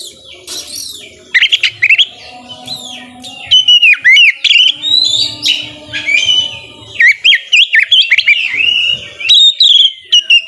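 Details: Kacer, or white-rumped shama, singing at full volume to coax reluctant birds into song: a rich mix of sweeping whistles, sharp chips and warbled runs delivered in dense bursts, with brief quieter gaps between phrases and a faint low hum beneath.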